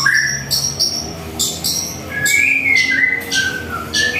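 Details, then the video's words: Morning at home with a white-rumped shama: varied whistled slurs, rising and falling, mixed with short bursts of very high, hissy notes. "Masteran suara burung murai"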